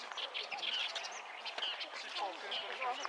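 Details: A Bull-headed Shrike singing loudly from a treetop delivers a rapid, scratchy medley of chattering notes and brief high whistles, run together without pause.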